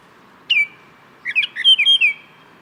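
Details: Baltimore oriole singing: one clear downslurred whistle, a pause, then a short phrase of rich, flute-like whistled notes that rise and fall, over a steady low background hum.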